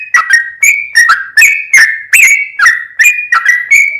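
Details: A sooty-headed bulbul delivers rapid 'gacor full ropel' song, with clear ringing whistles that drop or rise sharply, spaced about every third of a second in a steady stream.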